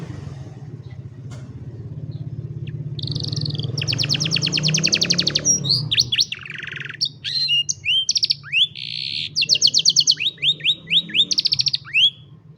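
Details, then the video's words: Canary singing for training young canaries, recorded by cellphone: a faint start builds into a loud buzzy roll, then fast trills of rising notes and clear whistled slides, over a steady low hum. "Mejor Entrenamiento Para Jóvenes Canarios | Canary Singing"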